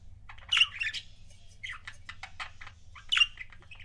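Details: Budgerigar couples kept as pets: loud sharp chirps opening and closing a stretch of quick, clicky, buzzy chatter.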